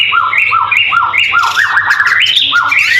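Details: White-rumped shama singing actively as tutor song for caged birds: paired, clipped whistles repeated steadily in quick rhythm, then a brighter burst of high sweeping notes, over a faint low hum.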